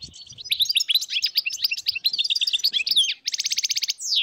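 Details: Many goldfinches chattering together in the wild in northern Morocco, 2022: continuous jumbled high tinkling notes ending in a fast even trill and a rising sweep.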